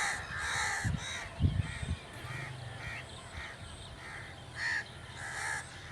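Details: Crow cawing repeatedly, rough nasal caws roughly once a second, with some low thuds early on and steady background hum.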